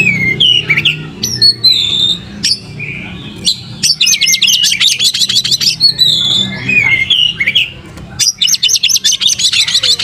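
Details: Oriental magpie-robin in vigorous song with tail open: clear slurred whistles trade off with dense, rapid chattering runs, several phrases following one another over about ten seconds.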